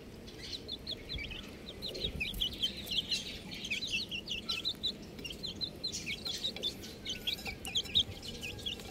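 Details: Little chicks peep continuously: a steady stream of short, high, slightly downslurred chirps, several birds overlapping at a quick, uneven pace over soft background noise.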